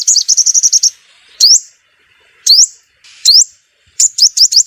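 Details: Sunbird call used as a lure for trapping birds: opens with a rapid high trill, then single sharp rising notes spaced about a second apart, ending in a quick triple burst.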